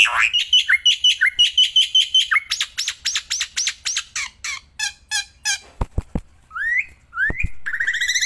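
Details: Black-winged myna, a kept bird singing loudly outdoors and when held in the hand: fast repeated shrill notes, buzzy trilled phrases, a couple of sharp knocks, then rising slurred whistles.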